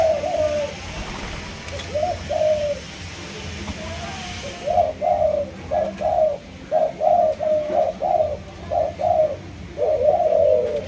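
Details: Spotted dove of a Malaysian strain, kept by a bird keeper, cooing after a noisy start: about a dozen short, rounded notes in quick, slightly irregular succession, ending on a longer drawn coo.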